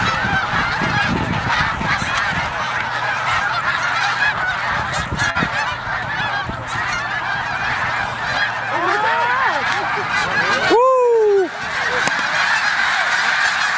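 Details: Middle Creek, Pennsylvania, during snow goose migration: a massive flock's ceaseless honking chorus, a sudden brief gap, then a few loud close yelps before the crowd noise resumes.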